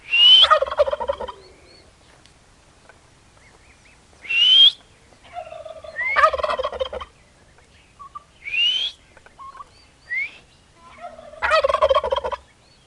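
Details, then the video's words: A turkey calling in a series of loud, rattling, gobble-like bursts, about six over thirteen seconds, several opening with a sharp, high whistled note and separated by quiet pauses. "Peru fazendo barulho"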